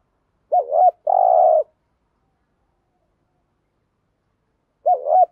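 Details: Spotted dove giving a thúc gù phrase for attracting wild doves: two rapid wobbling notes, a longer buzzy low coo, a long silent gap, then the double note starting again.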